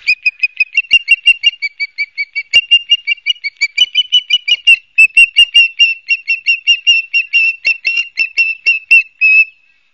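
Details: Osprey calling at its nest, Barnegat Light, New Jersey, 12 September 2022, via live nest camera: an unbroken ten-second stream of quick, piercing whistled chirps, fast and steady, ending on a drawn-out note.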